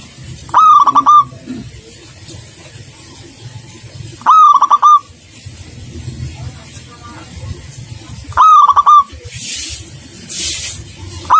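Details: Energetic local zebra dove song: brief rolling, stuttered coo phrases repeat roughly every four seconds, with low rumbling background noise and a burst of hissing noise near the end.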